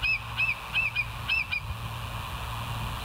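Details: Bald eagles on the West End live nest cam, 08/06/2023, 05:24; a run of sharp, slurred chirping notes repeated about three times a second, then fading to a steady background hum.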